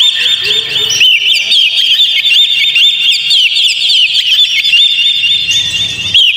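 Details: Fast, loud Oriental magpie-robin song played to provoke a kept magpie-robin into singing: packed whistled trills and chips in a steady high band, with a lower nasal note near the start.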